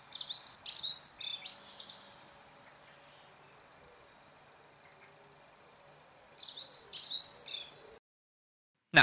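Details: Dunnock song, described as a very pretty, fast, short song with little variation: two fast, high, jingling warbles of about two seconds each, a steady flow of thin notes, separated by a quiet pause.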